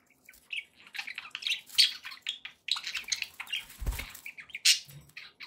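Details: Several pet budgerigars chattering: quick squeaky chirps and sharp clicks in uneven bursts, with a low bump midway.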